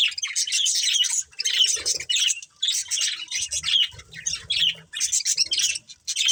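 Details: A family of pet budgerigars chirps in scratchy, high warbled bursts, separated by short pauses, with a soft low rumble beneath.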